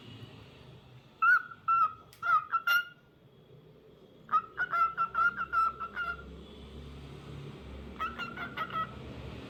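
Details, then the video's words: Cockatiel singing in three bursts of steady, level whistled notes strung together with quick clicky chirps, over a constant low background hum. "Adorable Cockatiel Cute Singing Sounds"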